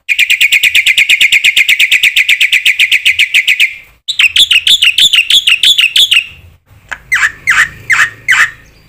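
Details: Black-winged myna singing hard, its varied song used as a lure to make other mynas sing: a long, very rapid rattle of high notes, then looping whistled phrases and a few harsh, scratchy calls.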